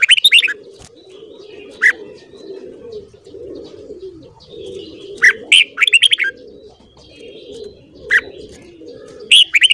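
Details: Red-whiskered bulbul singing in the morning, giving short, loud, bubbly whistled phrases every couple of seconds, over steady low cooing from doves throughout.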